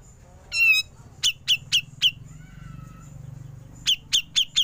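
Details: Grey-cheeked bulbul, ngepik sequence on a recording for training songbirds: a buzzy rising note rich in overtones, four sharp falling 'pik' notes, a soft wavering whistle, then four more rapid piks, over a low steady hum.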